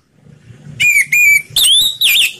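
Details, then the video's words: Ngeplong slow song of an orange-headed thrush, played as a lure to get other birds singing: two flat whistled notes followed by two brighter, upward-sweeping whistles in quick succession over faint low background hum. "Suara Anis Merah Ngeplong Slow"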